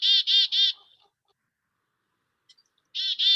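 Black-capped Chickadee giving its namesake call: three harsh, buzzy dee notes in quick succession, a pause, then two more; no other sounds.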